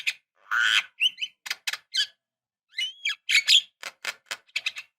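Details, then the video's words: Javan myna female calling to a male, a lure recording for caged birds: a rasping squawk, then rapid squeaky whistles, clicks and harsh chattering notes in irregular bursts. "suara pancingan jalak kebo"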